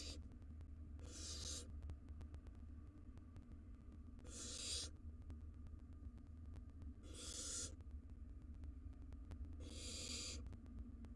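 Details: Four rasping, broadband hiss-screeches from wild barn owl chicks fighting over a mouse inside a nest box, spaced roughly every three seconds, with a constant low electrical hum beneath.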